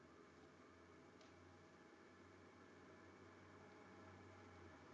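Steady broadband hiss and low hum, like a fan or distant machinery indoors, with no animal calls heard.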